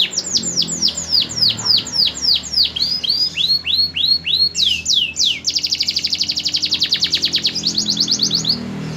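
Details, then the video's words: Canary song made of repeated swooping whistled notes, then a brief rising phrase leading into a long, dense, buzzy high trill that breaks into a quicker rattling trill. "Burung kenari prospek"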